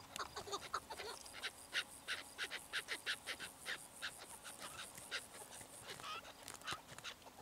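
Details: Chukar partridge giving a rapid run of harsh, clucking notes, close to three per second, fairly even in loudness, continuing through most of the stretch over a faint steady background hiss.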